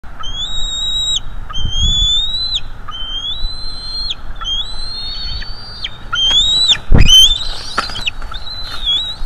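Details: Male bald eagle at a nest in North East Florida, filmed on a live nest camera, calling while attacking an intruder to defend the nest: a series of drawn-out, high whistled notes that bend down at the end, closing in a louder rising squeal, with low thumps.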